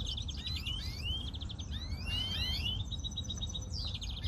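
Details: European greenfinch song, quick rolling trills followed by a burst of rising whistled notes, then more trilling, steady background hum.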